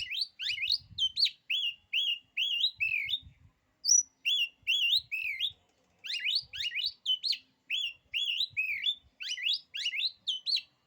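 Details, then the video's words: Oriental magpie-robin, a kacer kept as a songbird, singing a song said to make other kacer lose their nerve: loud bursts of rich whistled phrases, rising and falling, mixed with rapid buzzy trills, repeating with brief pauses. "kicauan kacer ini, bikin nyali kacer lain jadi ciut."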